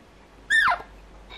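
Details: A newly arrived pet Alexandrine parakeet gives a single loud, harsh squawk sweeping steeply downward, lasting about a quarter second, in a quiet indoor room.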